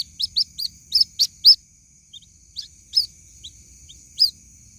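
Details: White-breasted waterhen chick calling for its mother: sharp, high, upward-hooked peeps, quick at first, then spaced at irregular intervals with a short lull, over a steady thin high whine.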